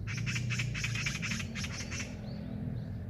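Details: Loud Eurasian magpie encountered on a walk, a rasping machine-gun chatter of quick harsh notes for two seconds, then a faint thin call from another bird.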